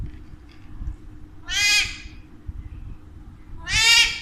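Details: Pet Alexandrine parakeet, one of two kept indoors and taught to talk in Urdu/Hindi, giving two loud, harsh, raspy squawks about two seconds apart over a low indoor hum.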